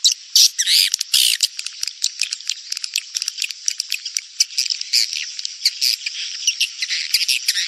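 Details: Rainy-season breeding lure call of edible-nest swiftlets: several loud rasping buzzes among fast, uneven runs of high metallic clicks and short twittering chirps, continuous throughout.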